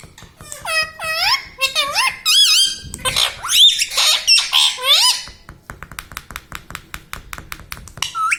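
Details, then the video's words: Pet green parrot talking indoors, mimicking words like mummy and papa: a rapid run of scratchy, nasal, wavering syllables, then a string of quick dry clicks and one last rising squawk. "Parrot talking everything || mummy mithu bolta hai"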